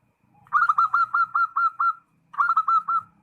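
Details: Zebra dove in full voice, calling to a rival, gives a quick string of about eight clipped, evenly spaced coos, pauses briefly, then adds four more; a faint low hum underneath.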